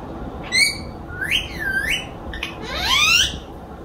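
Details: A parrot talking, said to utter "Allah hoo" clearly: three tonal, whistle-like phrases with rich overtones, first a short high note, then wavy rising and falling syllables, ending in a long upward sweep, over faint room hiss.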